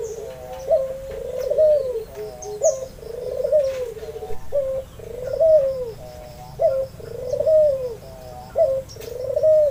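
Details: Albino red-eyed Barbary dove, used to prompt hesitant doves to answer. It repeats low, rolling two-part coos, a quick clipped note then a drawn-out burr, about every two seconds.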